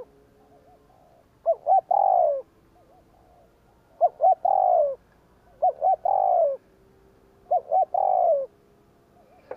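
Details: Spotted dove in 'gù kích' cooing style, meant to provoke wild doves: four phrases, about two seconds apart, each with two quick short notes then a drawn-out descending coo, faint soft wavering coos between.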